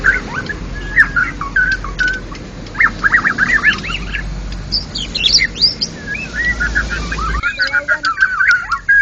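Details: Contest white-rumped shama, a national champion, in ngeplong gacor singing: bursts of rapid chattering notes, then fast rising and falling whistled runs near the end, with low hum until the last seconds.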